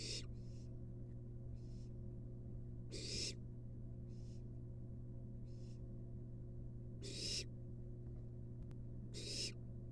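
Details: Begging barn owl nestling in a wild nest box as its mother delivers a long-tailed rat: loud rasping hisses at uneven intervals, fainter hissing bursts in between, and a constant low electrical hum.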